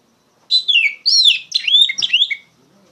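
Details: Oriental magpie-robin delivering loud ngeplong song as a tutor for raw magpie-robins: a dense run of sweet, fast-changing whistled notes, slurring up and down in quick succession without pause.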